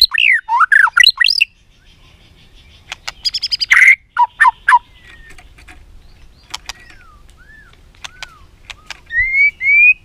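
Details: White-rumped shama song for training other shamas: a loud swooping whistled opening, a burst of sharp clicks and a shrill note, quieter pauses with soft downslurred whistles, then two rising whistles at the end.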